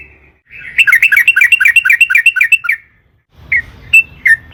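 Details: Excited sooty-headed bulbul (trucukan) delivers a burst of rapid rolling notes lasting about two seconds, then pauses before a few separate whistled notes; this long rolling song serves as a lure for other birds.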